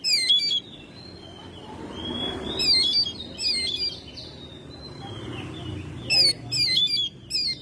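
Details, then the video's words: Oriental magpie-robin singing busily at home in May: clusters of sharp, twisting whistled notes separated by short pauses, with some fainter sliding tones and soft low noise. "Burung Kacer gacor rumahan"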